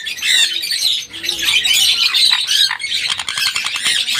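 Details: Sun conures screeching continuously, raspy high-pitched squawks layered over one another with no pauses.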